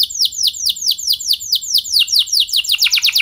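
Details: Canary singing a fast series of high, downward-slurred whistled notes repeated about four per second, ending in quicker, sharper chips; used as a gacor lure song for other canaries.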